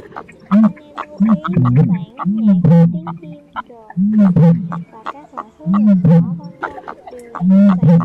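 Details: Black-crowned night heron calls used as a lure for night-netting birds: low, harsh, croaking 'quok' calls repeated every second or two in short bursts, with sharp clicks and other faint calls behind them.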